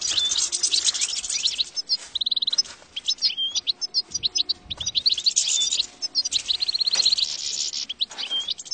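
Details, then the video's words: European goldfinch song used as a trapping lure: dense, fast, high twitter mixing tinkling notes, short buzzy rattles and quick repeated chips, continuous for several seconds. "صوت مجرب لصيد الحسون"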